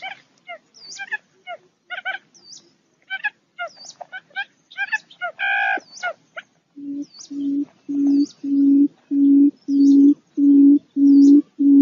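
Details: Barred buttonquail: after several seconds of varied high chirps and twitters from small birds, a run of low, even hoots begins and repeats steadily about every half second to the end.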